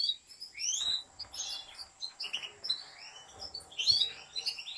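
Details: European goldfinch song from a professional breeder's large aviary: dense, tinkling twitters and swooping slurred notes in continuous, lively phrases with little background noise.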